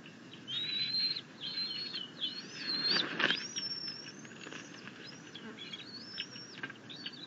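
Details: Bald eagle at the nest on 6.10.21, the eaglet claiming a rabbit brought by its mother while the father arrives with grasses; a rapid run of high, thin whistled notes, some rising and some slurring down, with wing flapping and rustling.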